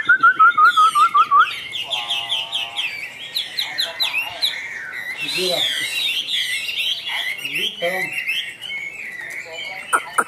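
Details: Caged Chinese hwamei singing: a run of sharp repeated whistled notes, then a rich, fast-changing stream of slurred whistles and warbled phrases with scattered harsher notes, loud and varied throughout.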